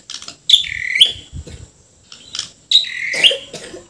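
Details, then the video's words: Borneo white-rumped shama in vigorous song full of harsh fill notes: loud, pure whistled notes sliding downward, mixed with rough buzzy fragments, in two bursts separated by a short pause. "MURAI BORNEO GACOR FULL ISIAN KASARAN SAMPAI TUMPAH - TUMPAH"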